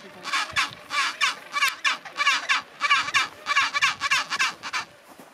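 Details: Colony of chinstrap penguins at Orne Harbour, Antarctica, January 2023, braying like donkeys: rhythmic, hoarse, wavering squawks in a fairly regular sequence, with constant background colony noise.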